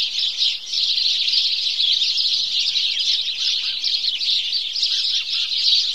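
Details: Dawn chorus of house sparrows, countless sharp cheeps and chirps blending into a steady, high, bustling chatter with a brief dip near the start.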